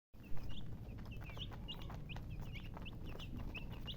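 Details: Baby chickens peeping: short high chirps, some rising and some falling, scattered through the clip over steady low rumbling background noise.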